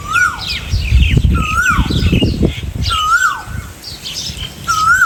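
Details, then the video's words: Asian koel giving single whistled notes, each held briefly then falling away, repeated roughly every one and a half seconds amid low rumbling noise and faint chirps from other birds. "Koel bird singing sounds | different sounds of koel"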